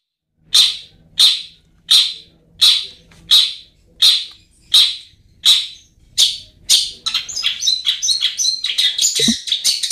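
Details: Long-tailed shrike lure recording, played to coax reluctant birds into singing: nine harsh, sharp notes repeated about every 0.7 seconds, then a fast, busy run of varied chattering notes.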